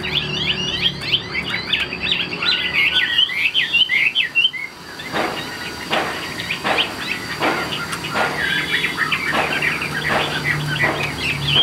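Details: Caged Chinese hwamei: dense twittering and whistled song for about four seconds, then mostly repeated percussive taps about once a second under faint whistles.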